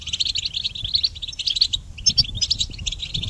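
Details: Goldfinch song for training songbirds: rapid, continuous twittering of high, bright chirps and short buzzy trills, with a brief pause near two seconds before the stream resumes.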